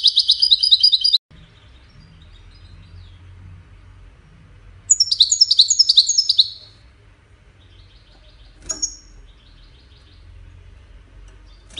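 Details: European goldfinch, Wiydani type, in Salé, giving short bursts of song: a brief buzzy trill, a long quiet gap, a tumbling twittered phrase, then one isolated sharp high note over low background hum.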